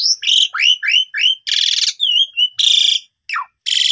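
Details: Asian pied starling song used to coax a young silent bird into full song with mimicked phrases: a run of rising hooked whistles, then loud rasping bursts separated by a soft wavering whistle and a short downward slur.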